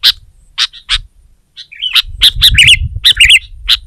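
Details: Sooty-headed bulbul singing to press a rival, other bulbuls excited into song: a few spaced chirps, then a quickening flurry of sharp notes and bubbly, rolling warbles, with low rumbling behind.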